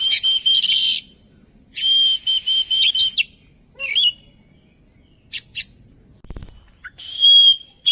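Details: Oriental magpie-robin lure song to draw birds into singing along: short loud bursts of high buzzy chatter and whistles separated by pauses, with a brief low thump near the end.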